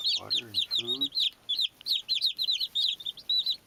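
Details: Baby chicks chirping: a dense chorus of high, shrill peeps, many short arched notes overlapping rapidly, with a couple of lower harmonic-rich sounds, possibly a human voice or an adult hen, near the start.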